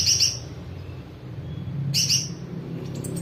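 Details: Olive-backed sunbird singing with mimicry: two quick bursts of high, thin, twittering notes about two seconds apart, over a steady low hum.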